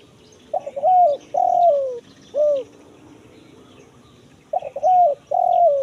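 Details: Spotted dove 'kuk 1 mersik' lure call for the forest: a stuttered lead-in, a long downward-sliding coo and an abrupt short coo, then a gap of about two seconds before the phrase begins again.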